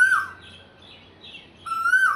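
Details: An Asian koel calling in spring from high in a jackfruit tree gives two loud, clear whistled notes about a second and a half apart, the second rising in pitch, with quiet background otherwise.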